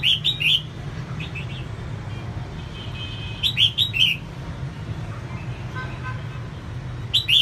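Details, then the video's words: A female red-whiskered bulbul sings to spur on males: short phrases of three ringing, upslurred whistles repeated every few seconds, with softer distant chirps and a low hum underneath. "CHÀO MÀO MÁI SIÊNG HOT KÍCH TRỐNG CĂNG LỬA"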